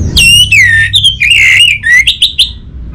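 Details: Orange-headed thrush from northern Bali, Indonesia, singing a continuous loud phrase of clear whistled notes that fall and rise, finishing with short quick upward-slurred chirps.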